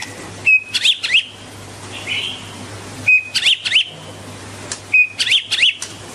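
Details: Singing White-rumped shama, shown dancing, repeats one phrase three times about every two and a half seconds: a short level whistle followed by two or three sharp, sweeping high notes; low hum in the background.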